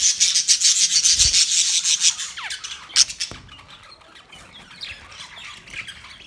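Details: Pet budgerigars during mating give dense scratchy, buzzy chatter in fast bursts about three per second. The chatter fades after two seconds into softer, sparse chirps and squeaks, with occasional rubbing sounds.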